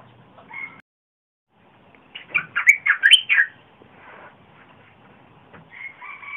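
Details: Red-whiskered bulbul, deep-voiced, recorded 30 April 2021 for luring wild birds and tutoring young ones: a brief soft phrase, silence, then a loud rapid burst of warbled notes, ending with a faint steady two-pitched whistle.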